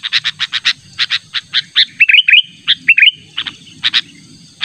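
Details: Sooty-headed bulbul used as a lure, calling insistently to a rival; a series of sharp, clipped chirps in quick succession, broken midway by short, bright, rising whistled phrases, then more chirps, with a faint low hum beneath.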